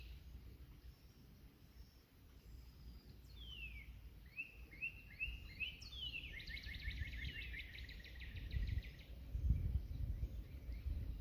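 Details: On an April morning hike, one of two competing Northern Cardinals sings long falling whistles followed by a quick rapid trill of repeated notes, over low rumbling background noise.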